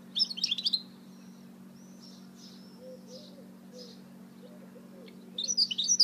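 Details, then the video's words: Goldfinch hybrid (mule) singing: short bursts of rapid, high twittering and trilled notes at the start and end, with faint thin whistled notes between them over a steady low hum. "Chant mulet chardonneret تغريد هجين الحسون"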